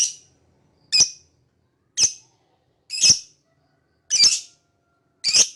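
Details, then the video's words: Lovebird repeating piercing, slightly buzzy chirps about once a second, six in a row, each rising sharply and then fading, with nothing else audible. "Lovebird Singing & Chirping Sound"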